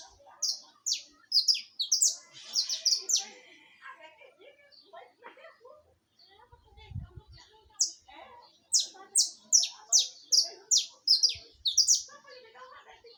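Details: Live singing of a saffron finch: two bursts of piercing, high downslurred notes delivered rapidly and evenly, separated by a quieter stretch of softer scattered chirps and one brief low thud.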